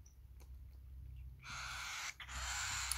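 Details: A hand-fed baby cockatiel gives a harsh, raspy, hissing begging call while being fed.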